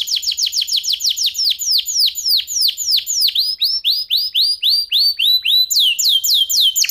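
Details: F1 SF canary song, clear crystal voice with unique phrasing, used as a tutor recording for white-rumped shamas and young canaries: rapid, loud, high downward-swooping whistled notes repeated about four per second, shifting pattern midway.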